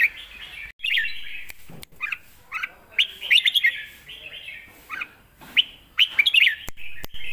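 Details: Caged red-whiskered bulbul performing 'lak wai' style song, a model for young birds: continuous warbled phrases of slurred rising and falling notes, with several sharp clicks and brief gaps.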